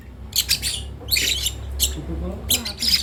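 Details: Lovebird chick learning vocalizations, producing four or five brief hoarse squawk bursts spaced about half a second apart, over a quiet low background rumble.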